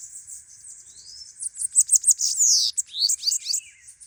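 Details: Bananaquit in full song: a thin rising whistle, then a fast, shrill series of clicking, buzzy high notes with a sweeping downward slur, followed by a few more rapid sharp phrases.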